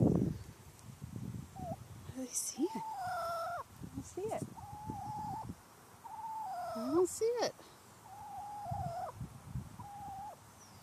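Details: Wild turkey hen on a residential street warns her new chicks after spotting danger in the sky: drawn-out, level tonal calls, some with upturned or dipping ends, repeated over several seconds among a person's speech.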